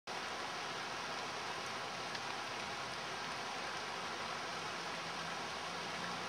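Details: Heavy rain patters continuously throughout, a uniform broadband hiss with occasional louder drops and no animal voices.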